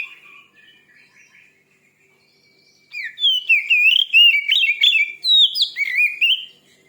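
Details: White-rumped shama song used to make another shama sing: soft twittering notes at first, then a loud sequence of fluty, looping whistles mixed with quick sharp chips.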